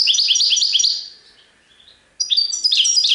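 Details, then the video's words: European goldfinch singing in the serfati tiwawati style: a fast run of bright, repeated high chirps, a quiet pause of about a second, then another rapid twittering burst. "تغريد حسون سرفاتي تيواواطي"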